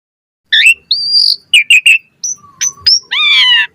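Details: Asian pied starling in lively, fast varied singing: a sharp descending note, a level whistle, three quick chirps, then a high whistle, a low flat whistle and a harsh buzzy multi-toned phrase, with short gaps between.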